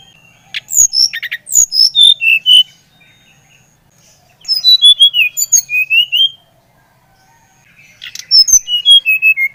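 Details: Brown-chested jungle flycatcher singing, a recording meant to spur another bird into song: three phrases of sweet whistles stepping steadily down in pitch, each about two seconds long, with brief quiet gaps.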